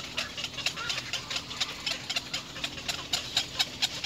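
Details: Rapid rasping chatter of little egret chicks at the nest, calling to their mother in quick clipped notes that run together, over a soft low drone.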